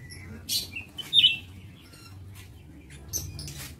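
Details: Lovebirds in an aviary, 22 August 2023, uttering short piercing high-pitched chirps and a louder squeaky call, a few separate notes against a low humming background.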